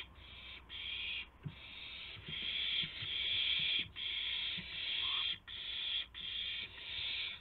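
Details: Dawn owl sounds from March 26, 2016, around 5:50 AM, as a gopher and a mouse arrive as prey; fast series of harsh hissing screeches, about ten bursts in seven seconds, with light scuffling knocks.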